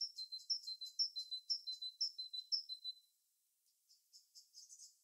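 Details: Bird in natural habitat repeats a high, bright two-part phrase about twice a second for three seconds, then falls silent before softer, scattered high chirps resume.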